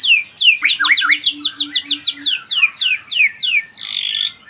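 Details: White-rumped shama song of fast, evenly spaced descending whistled slurs, about three per second, over a faint low steady hum, ending in a buzzy rasping note.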